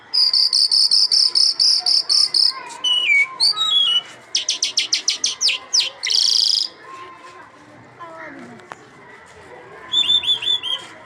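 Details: An Iranian lark sings a varied, high-pitched medley: rapid buzzy trills, quick pulsed note series and slurred descending whistles, broken by brief pauses.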